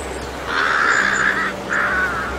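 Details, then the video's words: A crow gives two harsh, raspy caws, the first drawn out about a second and the second shorter, over a faint low background hum. "CALL AND SONG OF WOODPECKER, CROW, BALD EAGLE"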